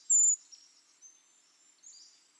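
A Brown Creeper gives one loud, very high, thin hissing note, followed by a few fainter high wisps over the next two seconds.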